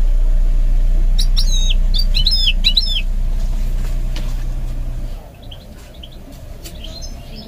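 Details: Goldfinch mule trained to sing: a short phrase of quick, high chirps and down-slurred twitters lasting about two seconds, followed by faint scattered notes and a low background drone.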